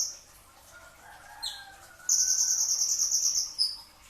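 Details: Brown-throated sunbird song recorded before dawn as a training recording: thin high notes, then a fast, tight series of sharp, evenly repeated high chips lasting over a second, ending in a short slurred note.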